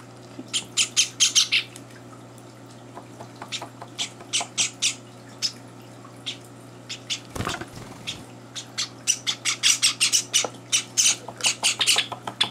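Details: Young Java sparrows in a home, at breakfast with two older birds joining in, give scattered sharp, high chips and squeaks in loose clusters; a brief thump or rustle interrupts midway before the calling intensifies again.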